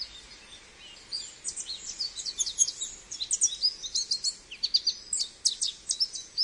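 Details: American goldfinch singing a rapid, continuous run of high, thin twitters and sweet slurred notes, many quick downslurred chips strung together from about one second on, with a faint hiss behind.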